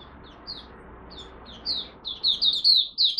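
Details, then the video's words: Oriental white-eye from Malaysia starting its first warm-up singing of the day, 01/08/2023: a few spaced high whistles at first, then a louder, faster run of slurred notes. "Malaysian Mata Puteh Buka Sing"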